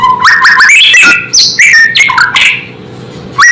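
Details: White-rumped shama (murai) singing its native song, claimed to provoke other shamas; quick upward-sliding whistles and chattering notes in a dense run, fading before one last rising whistle, with a low hum beneath.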